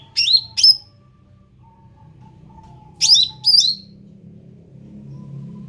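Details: {'caption': 'Ruby-throated bulbul, an endemic bird, giving two pairs of sharp, high, downslurred chirps about three seconds apart. A faint, steady low whistle runs beneath.'}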